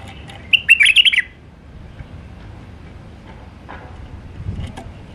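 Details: A single fluent, bubbling phrase from a wild White-eared bulbul in Alwazi song style: rapid mellow whistles swooping up and down for under a second. Faint clicks and low hum follow.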